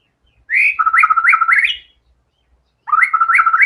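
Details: White-rumped shama in full song: two bursts of loud, clear whistled notes, the first with rising and falling phrases stepping between high and lower pitches, a pause, then a second rapid, slightly rising whistled run; quiet background.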